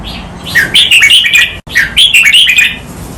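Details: Red-whiskered bulbul song, 'lak wai' style with doubled counted phrases, used for training birds: two fast rolling warbled phrases of five or six liquid notes each, separated by a brief pause.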